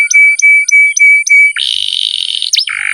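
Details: Canary song, a long masteran recording used to prompt young or quiet birds to sing: five clear piping whistles, then a sustained buzzy trill and a swooping note, over a faint steady high hiss.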